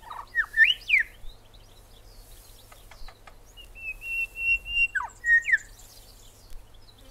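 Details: A Grey Shrike-thrush (Colluricincla harmonica) calls with rich, looping whistles that rise and fall, then a long even note and a quick sharp upslurred phrase.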